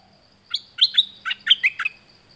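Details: Bird song used in Thailand to train decoy birds: a quick phrase of about six loud, clipped whistled notes jumping between pitches, over a faint steady hum.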